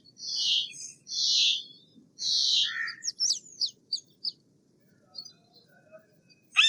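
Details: Three loud, scratchy squawks from a Steller's jay, followed by a lower rasping note, then a scatter of thin, high twittering chips.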